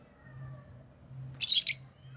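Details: Lovebird chirping, heard as a brief cluster of shrill, scratchy chirps packed into about a third of a second, followed by one short extra note, over a soft low background hum.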